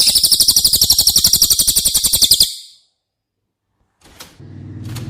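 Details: Cililin song meant as masteran for caged White-rumped Shama: a piercing, quick trill of regular staccato notes lasting over two seconds. Silence follows, then faint clicks and a low hum.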